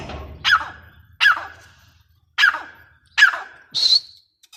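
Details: Teetar, the grey francolin, uttering harsh, scratchy notes spaced about a second apart, mostly mid-pitched, ending with a higher piercing note.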